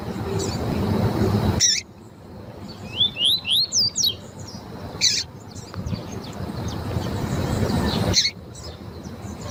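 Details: Lined seedeater (coleiro tui tui) female call, used to warm up and train males: a quick run of five sharp, high, sweeping whistled notes, with hiss-like noise bursts before and after.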